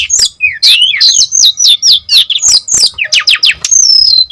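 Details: Loud, rapid song of a brown-chested jungle flycatcher used to lure and tutor other birds: a fast chain of rising and falling whistled slurs, ending in a long descending whistle.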